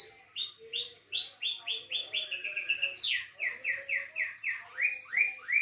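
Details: Canary singing a learned medley of other birds' phrases: a series of rising whistled notes repeated about three times a second, a sharp descending sweep midway, then more evenly spaced upslurs.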